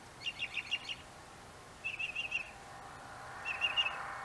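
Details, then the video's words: Northern mockingbird singing from an apple tree, giving clipped bursts of four or five quick, bright notes, each burst repeated after a short pause, against a quiet steady hiss. "Mockingbird song"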